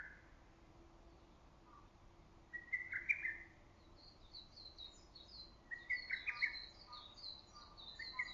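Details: Early-summer lesser cuckoo in green woodland, its loud call ringing through forest and valley: two strong whistled phrases about three seconds apart, while fainter high chirps from other small birds sprinkle the background.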